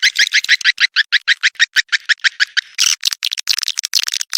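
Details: Lure sound of swiftlets in courtship ('birahi'), 2023: evenly spaced short bright chirps, roughly five per second, for two and a half seconds, then a looser burst of crowded high twitters.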